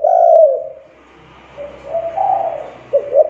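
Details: Spotted dove cooing to lure other doves into calling: one loud low coo, then softer wavering coos and a final rising coo, with faint background hum.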